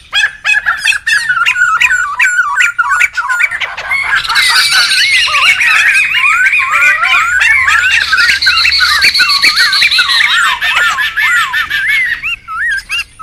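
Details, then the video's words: Laughingthrushes calling noisily in the wild, a recording meant for luring and tutoring birds: crowded overlapping whistled loops and chatters with rapid clicking, swelling into a continuous, loud, high-pitched wash through the middle and thinning again at the close. "SUARA PIKAT DAN MASTERAN SEMUA BURUNG POKSAY RIBUT ALAM LIAR"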